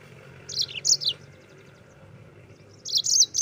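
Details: Yellow-fronted canary, rolling gacor song used as a tutor for white-eyes; two brief bursts of high, slightly buzzy chirps over a faint hum and a long pause between.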